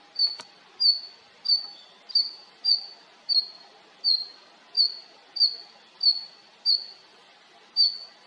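A female Red-flanked Bluetail gives thin, high, slightly falling whistled notes, one roughly every two-thirds of a second, over a quiet background.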